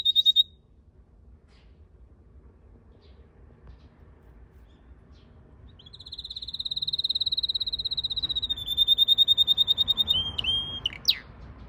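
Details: Red canary singing in a garden with purple azaleas in late March: a brief high trill, several seconds of near silence, then a long bright rolling trill ending in quick slurred notes.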